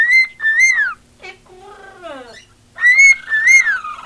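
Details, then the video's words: Attention-loving female pet cockatiel singing: bright whistled notes with a falling slide, then a softer warbling, chattering passage, then loud whistles again with a long descending tail. "Marigold Singing"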